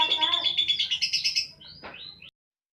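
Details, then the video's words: Domestic lovebird uttering a run of sharp, high, rapidly repeated chirps, then a few thinner squeaks and a rising whistle before the sound cuts off into silence. "Love bird ( rumahan )"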